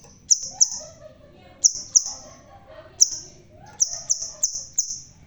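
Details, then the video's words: Crimson sunbird with a red tail, balding but still in full song: high, sharp twin notes with thin trailing buzzes, then a rapid run of four notes near the end, over soft low background noise. "Burung Sepah Raja Ekor Merah.. Biar Botak Tapi Tetap Gacorrrrr.."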